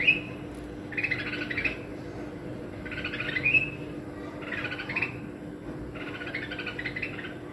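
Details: A red-whiskered bulbul gives five short, chattery bursts of mid-high notes, roughly every one and a half seconds, over a steady low hum.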